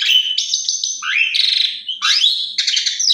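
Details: Asian pied starling, used as a lure to get other pied starlings singing, gives a full, continuous, varied run of mostly high whistles, harsh chatters and rising slurred notes, with no other sounds.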